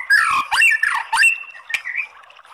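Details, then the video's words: White-rumped shama, a kept songbird, giving harsh, squawking swept notes followed by a thin, level whistle, part of a lure song for provoking singing. "SUARA KRETEKAN MURAI BATU materi TEMBAKAN panjang ¦ PANCINGAN MURAI ¦ SHAMA BIRD"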